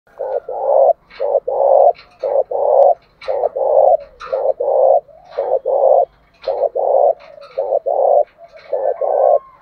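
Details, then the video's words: Spotted dove song meant to provoke other doves into fighting: a rapid run of low, rounded coo notes in close pairs and triplets, repeated almost without pause, with a faint hum and soft chatter behind. "Chim cu gáy thúc đấu giọng hay"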